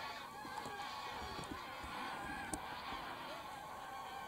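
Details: Huge goose flock taking off and landing at Wicken Fen and Burwell Fen on a September 2016 evening; dense babble of honking from many birds with scattered clicks.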